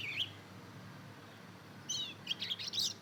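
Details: Two-month-old mozken, a hybrid of Mozambique canary and canary, learning to sing with ngeriwik twittering: one short high chirp, a pause, then a run of thin high twittered notes near the end over a quiet background.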